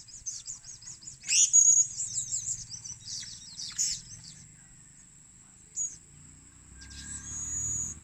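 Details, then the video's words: High, squeaky twittering from a blue-crowned hanging parrot kept as a lure, loudest in one short burst early on, then fading to sparse faint notes, with a continuous high whine and low rumbling background. "burung serindit gngster memikat"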